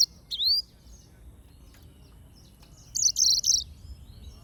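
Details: Yellow-fronted canary sings an upward-sweeping whistle, pauses, then delivers a fast buzzy run of high chirping notes lasting under a second.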